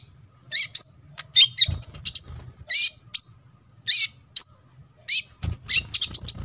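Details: Olive-backed sunbird singing 'tembakan isian' for competition-bird tutoring: loud swooping chirps that dip and rise, spaced about half a second apart, then a fast flurry at the end, with occasional low thumps.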